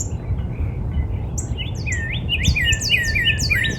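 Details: Northern cardinal in a spring backyard giving a quickening phrase of curved, looping whistles that rise and fall, while other birds add thin high chirps behind a low background rumble.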